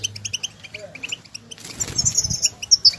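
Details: Goldfinches in the wild calling to each other. Crisp, evenly spaced chirps give way to a noisier, more tangled burst of high twittering mixed with rustling.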